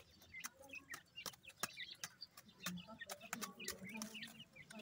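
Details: Grey francolin chicks feeding in summer: many short, thin, high chirps scattered rapidly and unevenly, mixed with sharp clicking taps and a soft low background hum.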